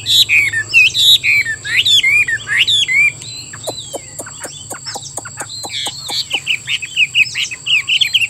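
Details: Vietnamese kept Chinese hwamei, plump-bodied with roach-brown wings and tail, pours out rapid twisting whistles, pauses while a series of sharp clicks ticks about once per second, then resumes its fluty warbling; faint low hum and high whine behind.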